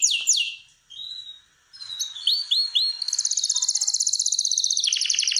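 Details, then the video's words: Singing canary in a breeding room during mating preparation: a few sweeping whistles and short slurred notes with pauses, then a long, very rapid, steady high trill of identical pulses lasting over two seconds. "جولة في غرفة طيور الكناري مع تغريد روعة"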